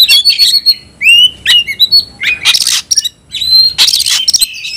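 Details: White-rumped shama kept as a cage bird, calling out a rival to fight, delivers loud ringing whistles and rising slurred notes broken by harsh noisy bursts and quick chattering phrases.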